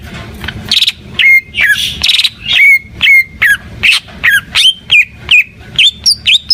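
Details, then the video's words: Cucak ijo, the greater green leafbird, in energetic gacor song: a steady run of short whistled notes, many dropping then flicking upward, with a few harsh buzzy bursts, repeated more than twice a second. "Suara Burung Cucak IJO FULL Gacor"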